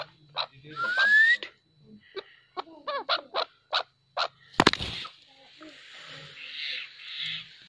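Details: Farm-kept chukar partridge (chakor) calling: a run of short, harsh clucking notes repeated about three times a second, preceded by a rising whistled note and a rough burst, then a loud knock and a softer hiss-like tail.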